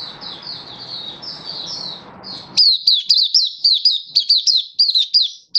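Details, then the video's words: Song of an oriental white-eye kept as a hobby bird, recorded 24 February 2023: a soft, high, slurred twitter over a background hiss, then a loud run of quick, sharp, descending chirps about two per second. "Mata Puteh Happy Buka Sing"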